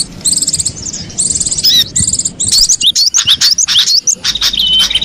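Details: Wild cinereous tit calling in the open: rapid bursts of buzzy, stuttered high notes alternate with short rising whistled chirps, several birds overlapping, no other clear sounds.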